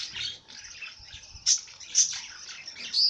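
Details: Short burst of high bird twittering with three loud, clear whistled peaks standing out from the chatter.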